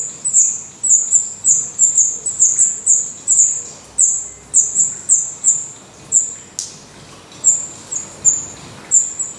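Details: Black redstart nestlings in a nest in Portugal, eyes open and growing adult feathers, give high, thin hissing begging calls in rapid bursts, about twenty in nine seconds, with a short gap near the middle.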